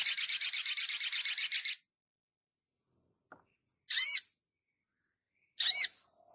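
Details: Sogon in full song for a bird-training tutor recording: a rapid, even, buzzy high trill of about fifteen pulses, then two sharp looping chirps after pauses.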